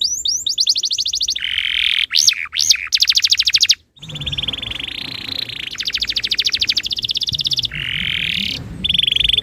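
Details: Canary tutor song for drawing other canaries into song. Long, even, fast trills dominate, shifting between higher and lower pitch, with a few looping whistled notes and short silent gaps.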